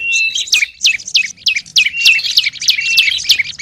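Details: Olive-backed tailorbird lure call: sharp, downward-flicking notes repeated roughly every third of a second, joined by long flat whistles held between them.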